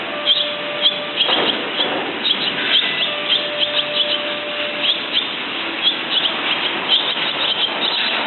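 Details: Dense, chattering high twitter from a barn swallow, short chirps tumbling over one another almost without pause, with a faint steady tone in the background.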